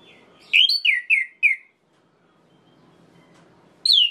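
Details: Orange-headed thrush singing to provoke rival thrushes into fury: four clear downslurred whistled notes in quick succession, a long quiet gap, then another sharp falling whistle at the end.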